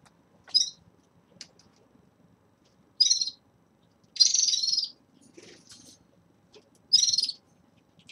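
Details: At the start of moult, caged red-fronted serins utter scattered high, scratchy buzzing phrases, each under a second, separated by quiet pauses of one to two seconds.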